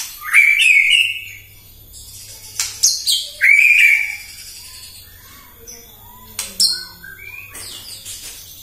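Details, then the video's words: Morning lure song from a White-rumped shama, meant to agitate other shamas: two loud, rich whistled phrases with sharp accents, then scattered softer low whistles and high notes. "PAGI-PAGI MURAI AUTO EMOSI MENDENGAR PANCINGAN INI❗ GACOR FULL❗❗"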